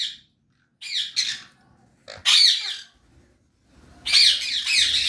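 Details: Pet sun conure adult pair calling in short harsh screeches, a few scattered bursts with pauses between, ending in a longer rasping squawk; quiet low rumble underneath.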